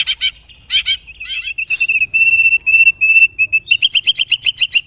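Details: White-rumped shama lure song meant to set caged birds singing: harsh rasping bursts give way to steady sustained whistles, then a fast series of short, high, repeated notes.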